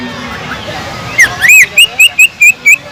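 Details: Greater green leafbird lure song with kingfisher-mimic filler, meant to train other leafbirds to sing it: soft background hiss, then seven loud, clear whistled notes near evenly spaced, each sharply rising then falling.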